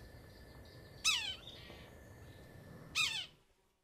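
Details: Two harsh, mewing, descending squeals from a red-breasted sapsucker about two seconds apart, rich in harmonics, over a faint background hum that cuts off at the end.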